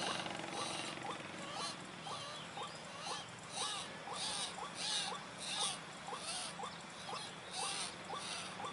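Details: Calls of a White-breasted waterhen, played to lure birds: clipped, rising notes repeated roughly twice a second, while pulsing insect buzzes come and go in the background.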